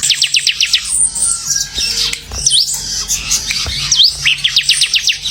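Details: Bar-winged prinia singing actively, rattling out fast runs of thin high ticks mixed with a few upslurred whistles, over a low background hum.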